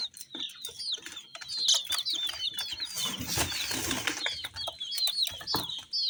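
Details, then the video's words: Colourful chicks keep up a flock chorus of high peeps while a burst of loud rustling or flapping noise swells through the middle and fades. "Chicks Chirping"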